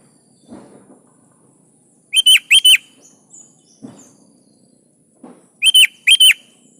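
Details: Kutilang, or sooty-headed bulbul, singing strongly as a lure for other birds: two paired bursts of loud, liquid, warbled notes, with soft low thumps and rustles in the pauses.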